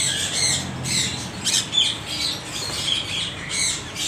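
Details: Rasping parrot squawks come in uneven waves, with a few clear whistled notes mixed into the harsh chorus and a faint low background hum.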